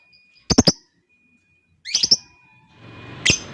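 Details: Lovebird, kept bird, heard as two bursts of three sharp, harsh chirps a second apart, then a single clipped note over a faint steady high whine and low background rumble.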